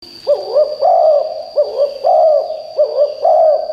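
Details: Decoy spotted dove calling to lure wild birds, loud enough that forest birds answer: repeated low, husky two- and three-part coos, about one phrase every second, over a steady high electronic whine.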